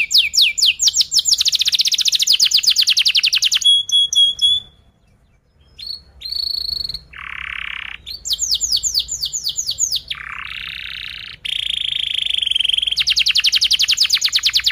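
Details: Canary song used as a lure for training young canaries to learn to sing: long, fast tight rolls and trills of rapid repeated notes, buzzy low rolls, and a few sustained high whistled notes, with short pauses between phrases.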